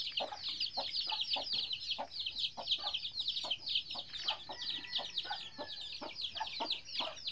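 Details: Eleven free-range chicks with their mama hen, which hatched them in the bushes; nonstop overlapping shrill peeps sliding downward, punctuated by brief lower clucking notes.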